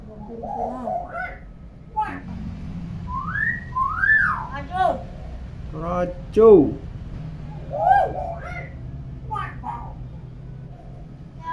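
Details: Talking tame common hill myna, clear-voiced and mimicking many sounds, producing a rapid string of speech-like syllables, rising and falling whistled notes and brief sharp clicks, mixed with low indoor hum.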